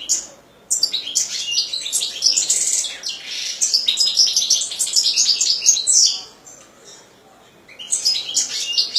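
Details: A pet European goldfinch sings a long, rapid, high twittering song full of tinkling, buzzy notes for about five seconds, pauses briefly, then resumes.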